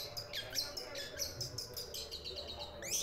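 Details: Long-tailed shrike acting as a house guard and calling as soon as a person arrives; its voice resembles an Asian pied starling's. Quick chains of sharp, high chirps and short whistles, with a steady low hum behind.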